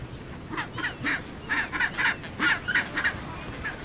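Chinstrap penguins give harsh, honking brays in quick irregular bursts, about one a second, over a steady hiss of background noise.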